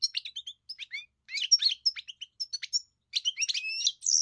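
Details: European goldfinch song made of quick, high, sweet twitters and slurred chirps in short bursts, with brief gaps and a rising buzzy note at the close.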